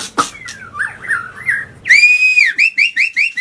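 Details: Agitated white-rumped shama song meant to provoke other birds, soft gliding notes followed by a loud ringing whistle and a quick series of repeated rising chirps.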